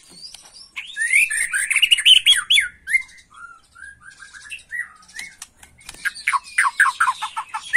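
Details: White-rumped shama, young and agitated, delivering a rush of fast warbled notes, a series of short falling whistles, then a rapid string of clipped downslurred notes.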